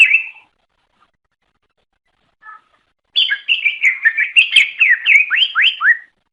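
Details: A greater green leafbird, native to Java, Sumatra and Kalimantan, gives a brief opening note, then a rapid, varied three-second run of chirps, trills and sweeping whistled slurs, mostly high-pitched; song used to attract other leafbirds.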